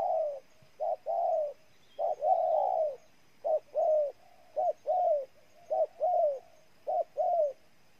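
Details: Ninh Thuan, Vietnam spotted dove cooing repeatedly: short coo plus longer mellow, downslurred coo in regular couplets about once a second, clear and close.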